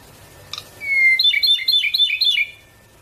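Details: Ryukyu robin, a threatened bird endemic to Okinawa, Japan, singing: one sharp note, then a long clear whistle followed by a quick run of bright, descending chattering notes repeated about four times a second.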